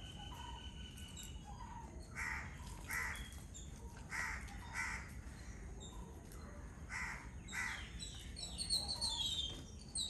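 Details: A flock of Yellow-billed Babblers eating coconut from the shell gives harsh, rasping bursts about once a second, in loose clusters, over a low background rumble. Thin whistles from other birds sound higher up.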